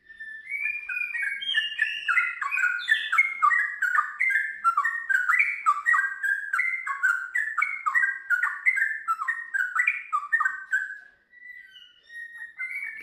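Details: Lively sooty-headed bulbul (trucukan) song in the ngiwir style followed by a long ropel: a long unbroken chatter of bubbling, warbled notes rising and falling, about three per second, then a short pause and a few more notes.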